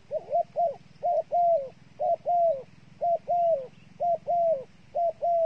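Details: Bait dove giving rapid arched coos in short-then-long pairs, about one pair each second, evenly paced and loud over a faint low buzz.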